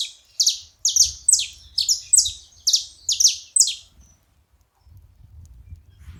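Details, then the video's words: Several saffron finches together: a quick run of sharp, high, downward-sliding chirps, roughly two per second for four seconds, then quiet with faint low rumble. "Canarinhos da terra junto fazendo barulho"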